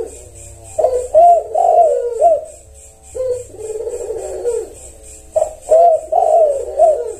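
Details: Cooing of a spotted dove, played to get other doves to answer: repeated phrases of arched, mellow coo notes separated by softer drawn-out coos, backed by a fast even high ticking.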